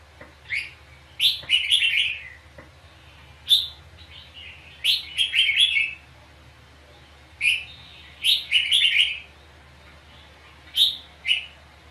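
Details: Red-whiskered bulbul fighting song recorded at a trap with a decoy: rippling clusters of whistled, warbling notes about every two to three seconds, separated by quiet gaps.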